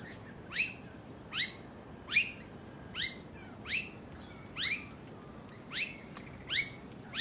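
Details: An Australasian figbird (Sphecotheres vieilloti) on the Sunshine Coast, Queensland, in October 2022 gives sharp, high, steeply falling notes, about one every second, in an otherwise quiet setting with a faint low hum.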